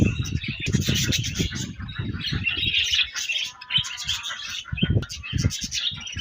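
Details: Morning chatter from a colony of budgies. Many birds overlap in a busy, buzzy stream of rapid chirps and warbles. Repeated low thuds run beneath the chorus throughout.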